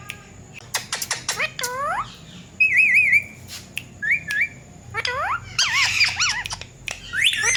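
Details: Indian ringneck parakeet kept as a pet, mimicking a cat; harsh clicks and squawks, looping curved calls, and a wavering whistled phrase repeated midway.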